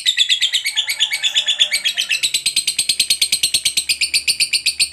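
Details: A lovebird's long chatter used to call companions, continuous high grating notes pulsing rapidly and evenly throughout.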